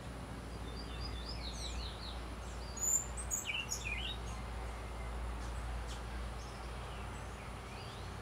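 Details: White-tipped sicklebill at La Unión de Guápiles, Limón, Costa Rica: a scatter of thin, very high chips and short squeaky slurred notes, mostly clustered near the start and middle, over steady low background hum.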